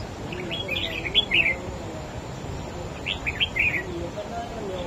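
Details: Contest singing by a wild-caught red-whiskered bulbul pitted against a rival bird: two lively warbled phrases, each a tumble of rising and falling whistles about two seconds apart, over low broadband noise.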